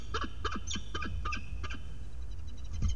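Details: Agitated peregrine falcon defending its nest ledge from an approaching stranger falcon, nest camera recording from May 2022; a burst of grating, harmonic cacks roughly four per second, fading after two seconds, with a low steady rumble beneath.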